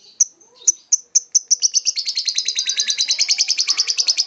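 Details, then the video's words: Lovebird singing in the ngokop style: a few separate high chirps that speed up into a fast, even stream of sharp, repeated chatter notes. "Love bird scoopy Ngokop"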